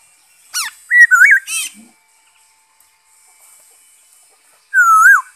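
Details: Black-throated laughingthrush song from 5 May 2021: ringing whistles with sharp downslurred and wavering notes in a short burst, a pause, then one long loud whistle bending up and down at the end.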